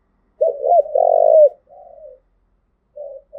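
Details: Spotted dove, Đồng Nai province, Vietnam, giving the 'thúc gù' coo that provokes decoy birds; two quick looping notes run into a long rolling coo, then a softer falling note and a brief faint coo.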